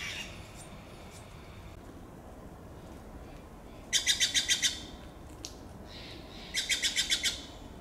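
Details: Steller's jays giving contact calls in a Monterey pine forest in Del Monte Forest: two rapid bursts of about six harsh, grating notes each, a few seconds apart, over a steady background hiss.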